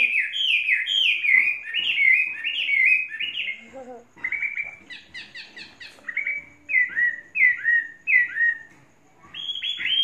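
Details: Chinese hwamei, a tame caged bird of three seasons, sings repeated bright down-slurred whistles, breaks into a rapid buzzy trill and a brief low warble, then resumes its falling whistled phrases.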